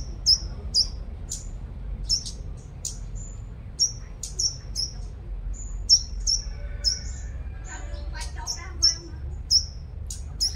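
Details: Five-colored sunbird used as a singing lure bird in Long Thành, Đồng Nai, Vietnam: a steady run of very high, piercing down-slurred notes about twice a second, with a brief lower warbling passage midway over soft hum.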